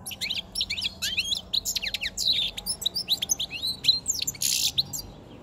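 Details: A white-chinned male European goldfinch sings in its cage close to spring, five months after capture, delivering a fast continuous stream of liquid twittering notes, sharp chips and a brief harsh buzzy rasp near the end.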